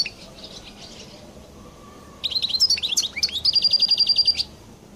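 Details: Collo-type European goldfinch in distinctive song: a faint twitter, a pause, then loud jumbled chirps running into a rapid, even trill of repeated bright notes for about a second.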